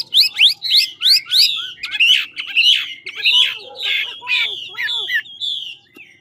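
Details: Chinese hwamei from Lạng Sơn, a large 'ngũ trường' bird practising song: loud, fast sequences of sharp rising and falling whistles, repeated roughly twice a second, with slurred lower notes beneath and a faint hum.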